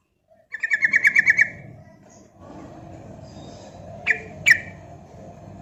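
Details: Sooty-headed bulbul lure song, used to spur other bulbuls into singing and as a tutor; a quick series of about nine bright, evenly spaced notes, then two sharp separate notes over a low rumbling background.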